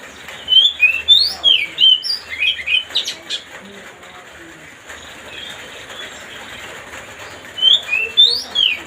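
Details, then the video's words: Oriental magpie-robin (kacer) song, played to provoke another bird into an excited mood: a burst of bright, varied whistled notes, a quiet gap with faint background hiss, then another quick run of sweet whistles near the end. "mancing suara kacer biar emosi"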